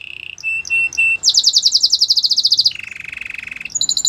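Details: Canary song for training, with soft short tones, then a bright rapid pulsed trill, a lower buzzing roll, and a high chattering burst; faint background hiss.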